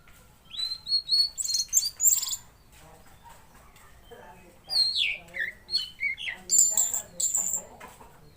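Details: Tledekan Laut (Mangrove Blue Flycatcher) singing actively, used as tutor song: two bursts of quick, varied high whistled notes with rising and falling slurs and sharp chips, a quiet gap between them, then bright trilled phrases.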